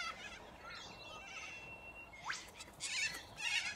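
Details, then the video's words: A large flock of corella cockatoos feeding on root grass in Australia gives harsh, screechy overlapping calls in bursts every second or so, some rising sharply, over a thin steady whistle. "A Large flock of Corella Cockatoos"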